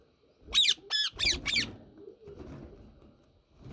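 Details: Yellow Indian ringneck parakeet calling: four loud, harsh screeches in quick succession, each with a falling stacked tone, followed by quieter rustling and handling noises in a small room.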